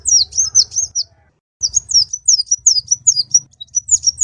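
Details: {'caption': 'Tutor recording of an olive-backed sunbird singing, meant for training other birds: sharp, high descending slurred notes strung into fast chattering phrases, a brief gap mid-way, over a steady low hum.'}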